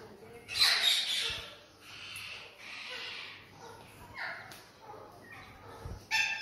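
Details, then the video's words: Sulphur-crested cockatoo giving one loud, harsh, raspy screech lasting about half a second, followed by quieter scratchy rasps and short clicking notes, ending with another brief harsh burst. "Sulphur Crested Cockatoo"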